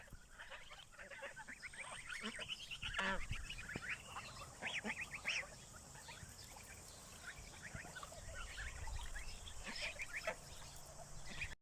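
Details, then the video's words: A flock of geese honks in a busy, overlapping chorus of nasal, brassy calls, several per second, over a low background rumble. "the sound of a goose"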